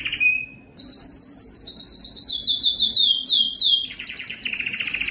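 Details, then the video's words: Belgian canary singing its most powerful breeding song to attract females: a brief whistled note, then a long descending series of pulsed trill notes, ending in a buzzier lower rattle. "O canto mais forte do canário belga que atrai as fêmeas para a reprodução"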